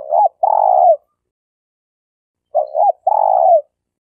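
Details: Champion spotted dove decoy from Malaysia, calling to lure birds for trapping: two phrases, each a short curved note and then a long, slightly falling coo, separated by a silent pause of over a second.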